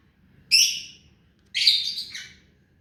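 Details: Hand-tame pet rose-ringed parakeet, a ringneck parrot, giving two loud, harsh, high-pitched squawking utterances about a second apart, each roughly half a second long and fading, over a quiet background.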